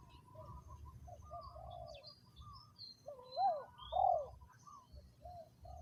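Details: Decoy spotted dove on the ground, third round, with a double coo rising and falling around the middle, surrounded by softer cooing doves and scattered high chirps.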